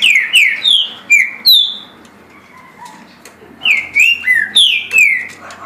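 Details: Green-winged saltator, caged, singing 17 songs a minute; rapid series of rich whistled notes sliding down, a brief lull with soft lower whistles, then another run of four or five falling notes.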